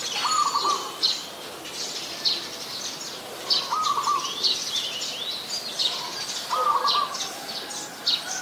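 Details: Adult zebra dove, Ubon Ratchathani, Thailand, 24 February 2022, giving short trilled cooing bursts about every two to three seconds, while other birds chirp and whistle higher above throughout.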